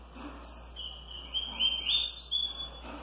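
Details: Green-winged saltator (trinca-ferro) in the smooth curricurril song style, mixed with double-collared seedeaters of the tui tui style: a bright, sliding, whistled phrase with high buzzy notes that climbs and levels off over about two seconds, with faint background hiss.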